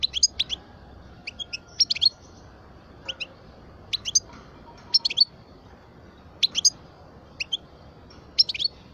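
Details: A 12-year-old European goldfinch of the parva type sings clipped high double and triple chirps repeated at irregular intervals about every second, over quiet background hiss.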